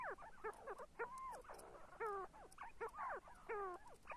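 See-see partridges give quick, squeaky whistled notes that slur downward, several per second in overlapping bursts, with faint background hiss.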